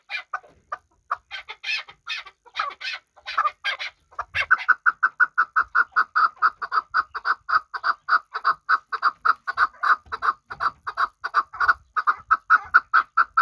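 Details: A hunting chukar partridge from Kabodiyon: scattered harsh notes at first, then a long, steady series of clipped 'chuk' notes repeated about three times per second, the same pitch throughout, for nine seconds.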